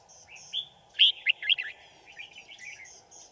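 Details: Trapping wild Red-whiskered bulbuls with a singing decoy bird, 5 January 2018: a lively run of loud, slurred whistles in the middle, framed by softer high chirps and thin notes, over a faint background hum.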